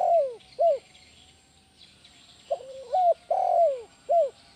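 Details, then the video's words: Spotted dove serving as a lure to train other doves, giving a mix of short arched coos and a wavering, rising phrase ending in a long falling coo. "SUARA BESAR PANCINGAN TEKUKUR KUK 1 GACOR BANTU TERAPI TEKUKUR ANDA"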